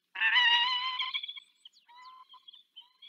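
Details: Female peregrine falcon, Zdenka, in the Barycz Valley, Poland, on 18 March 2024, calling her mate Borek to swap duties: one drawn-out, harsh, nasal wail of about a second, followed by a few fainter, thin call notes.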